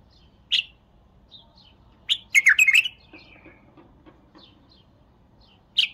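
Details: Bulbul song with a lone sharp chirp, then a fast, liquid, gurgling phrase of several rolling notes trailing into softer murmurs, ending with another clear chirp.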